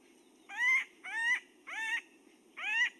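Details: Acorn Woodpecker, a confusion species for Pinyon Jay, giving four harsh, nasal, rising-then-falling notes about half a second apart, each strongly harmonic: a single note repeated irregularly rather than a regular rack series, over a steady low hum.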